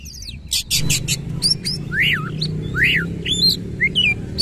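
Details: Oriental magpie-robin (kacer) singing energetically in 'nembak ngerol' style with tail spread; opening burst of rapid buzzy notes, then clear arched whistles rising and falling, over a steady low hum.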